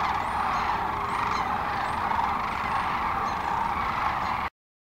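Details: Thousands of sandhill cranes roosting on the North Platte River near North Platte, Nebraska, in the early morning of March 25, 2012, as they take off to feed in nearby farm fields. A dense, unbroken chorus of rolling calls stops abruptly after four and a half seconds.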